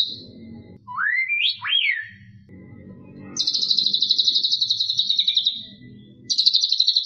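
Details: White-rumped shama song in 'isian' style: two steep rising swooped whistles, followed by a long high rattling trill of quick regular pulses and the start of another, with low-pitched rumbling noise underneath.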